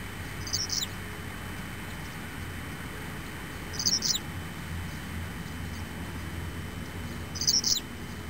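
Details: Hellmayr's pipit in Sector Cajón, Araucanía Region, recorded on 25 September: short, high, thin twittering phrases spaced several seconds apart over a steady low rumble of background noise.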